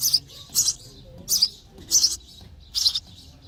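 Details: Sparrow chicks in the nest chirping for food while being fed: five sharp, high, rasping chirp bursts over three and a half seconds, irregularly spaced, with quiet gaps between.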